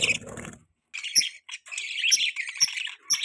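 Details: Budgerigar chirping linked to mating, given in short bursts of buzzy, scratchy warble with brief sharp high notes, broken by a short silence after the opening burst.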